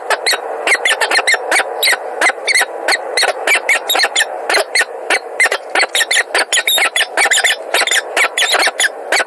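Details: Peregrine falcons of a pair named Spirit and Eole in Montreal, 16 February 2017, give harsh, grating calls in rapid bursts, several a second, loud and insistent throughout with only brief pauses.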